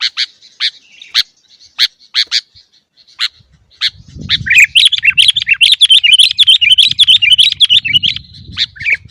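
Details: Noisy, energetic sooty-headed bulbul singing used to train caged birds: scattered sharp chirps give way to a dense, continuous bubbling warble of rapid notes, with low rumbling noise in the background.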